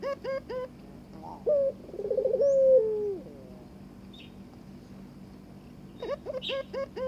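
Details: Barbary dove courting a mate: quick strings of short upswept notes frame a single throaty, trilled coo that fades away in a long falling slide, followed by near quiet.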